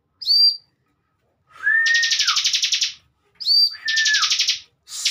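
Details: Caged bar-winged prinia kept as a master tutor for training young competition birds: a brief high whistled note, then a lower slurred whistle under a rapid buzzy trill, repeated twice.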